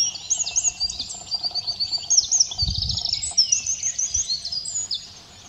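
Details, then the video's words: Eurasian wren singing between bouts of preening its plumage, at Simunas on 2 April 2017; a loud, fast, dense run of high trills and sharp twittering notes pours out almost without pause, with faint low rumble beneath. "Käblik sulestiku puhastamas ja ka vahepeal laulu laskmas"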